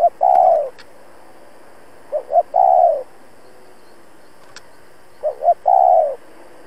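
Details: Caged decoy spotted dove calling hard to provoke wild males, repeating a phrase about every three seconds: two quick soft lead-in notes, then one long, smooth, falling coo. The background is quiet, with faint clicks.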